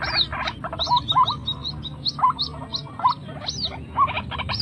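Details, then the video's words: White-breasted waterhen (srimbok, truwok, ruak-ruak) call used as a lure for wild birds: fast, throaty repeated notes with nasal upward flicks, several birds seeming to overlap in a busy, clucking chorus. "pikat burung srimbok mbok / truwok cara pikat ruak ruak liar"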